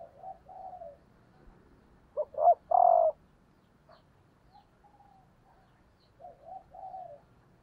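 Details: Decoy spotted dove hen cooing to excite males; a loud phrase of two quick notes and a sustained falling coo stands between fainter, softer coo phrases at the start and end.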